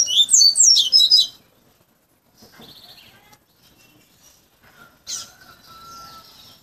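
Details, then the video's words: Tutored coleiro in captivity delivering its fluted Bahia-style song: an opening rush of bright, swooping high whistles lasting over a second, then quiet with faint scattered notes and a thin steady tone near the end. "COLEIRO BAIANO"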